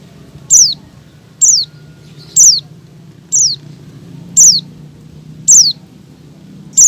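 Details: Breeding-condition female Oriental white-eye calling males, giving a steady series of seven sharp, high, downslurred tsee notes roughly one second apart over low background hum.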